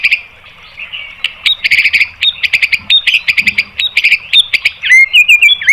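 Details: White-rumped shama song used for training birds to respond, with dense scratchy chattering phrases broken by sharp clicks, ending in clear rising and falling whistles.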